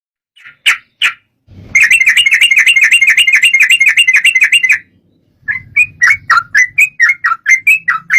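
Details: Sooty-headed bulbul song used as a lure to prompt another bird to sing: short chirps, then a fast, even trill of sharp notes lasting about three seconds, followed by a run of clear, falling, whistled chirps.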